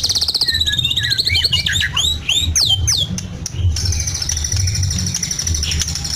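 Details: Medan white-rumped shama in a cage, song full of lovebird, canary and cililin imitations: a fast shrill trill, then a burst of steep rising and falling whistled sweeps, ending in a thin high buzz, with a low background hum.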